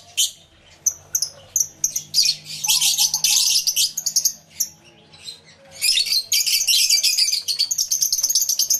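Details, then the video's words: A crowded aviary of lovebirds, recorded with a camera and two external microphones, fills with scattered piercing chirps that build into a continuous, dense stream of high, rapid squeaking chatter. "1 Hour Lovebird Sounds Aviary Series V1"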